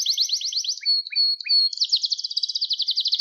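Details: Canary song intended for young canaries' training: quick falling trill, a steady whistled tone with low chips, then a dense fast rolling trill.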